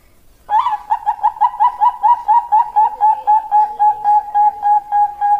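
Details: Singing Bangkok perkutut, a zebra dove, delivering a fast, steady stream of about eighteen quick cooing notes, each slightly falling, with the pitch easing down gently over the run.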